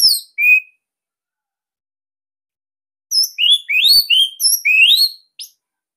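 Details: Orange-headed thrush, Bali type, kept in captivity, with a loud, tight song: a pair of brief high notes, a long silence, then a quick burst of rising whistled slurs and sharp chirps.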